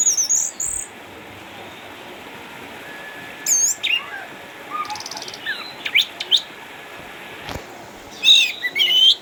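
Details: Caged orange-headed thrush, eight years old, a past champion from Sukabumi now a house bird because of cataracts, producing sparse bursts of sharp high squeaks, short whistles and buzzy notes separated by pauses.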